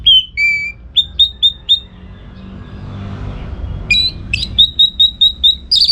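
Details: Orange-headed thrush singing as a tutor for song-contest birds: clear whistled notes repeated in a steady series, a short quiet gap, then another string of evenly spaced, bright whistles ending in a higher flourish.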